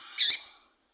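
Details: Female double-collared seedeater giving one brief, buzzy chirp, the kind of call breeders play to rouse males for song tournaments. It is a clear, loud note that fades quickly.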